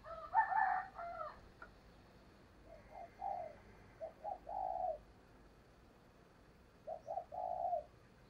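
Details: Decoy spotted dove cooing to bring in wild doves: a louder rough opening phrase, then several groups of short low coos ending in a drawn-out note, with constant background hiss.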